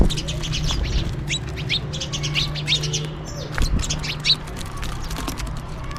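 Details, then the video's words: Feeding house sparrows chirp as they call for food, short sharp notes scattered unevenly, some overlapping, with a constant low hum underneath. "Sparrow Birds Chirping and Calling for food"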